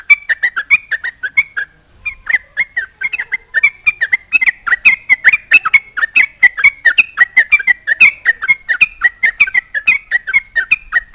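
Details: Sooty-headed bulbul in full vigorous song, taunting a rival and provoking other bulbuls to answer; a long, steady stream of rapid bubbly whistled notes, several each second, with sharp clicky edges and a short gap early on.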